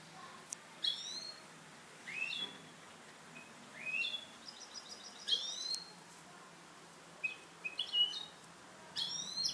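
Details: Caged European goldfinch hybrid, a bird being trained for its clean song, gives scattered high, thin chirps and quick rising twittery notes in short bursts separated by pauses, over a soft, steady low hum.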